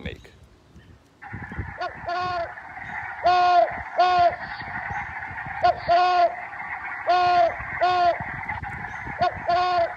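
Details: A played recording of a great horned owl, one of its many calls: nasal barking calls, each about half a second, often in pairs every couple of seconds, over a steady background hum.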